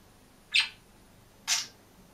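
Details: Budgerigar singing and chirping alone in a cage: two short, harsh, high chirps about a second apart against a faint hiss.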